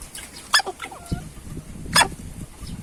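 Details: Hen choking after eating too greedily: two sharp, explosive hiccup-like bursts about one and a half seconds apart over soft background clucks and rustling.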